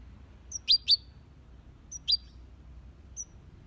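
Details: European goldfinch in an aviary, singing in the copia Malaga style: short, sharp, high twittering notes in small clusters, a pair together near the start, then single bright chirps spaced apart, over a quiet background.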